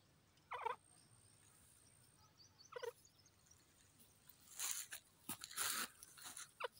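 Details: Grey francolin among flowers giving two short, harsh, harmonic-rich bursts about two seconds apart, followed by louder noisy broadband clattering and rustling sounds in the later seconds.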